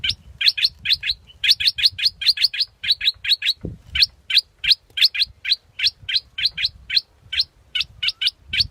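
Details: Scarlet-backed flowerpecker giving a steady run of sharp, high ticking notes, about five per second, with short pauses between bursts and a low rumble underneath.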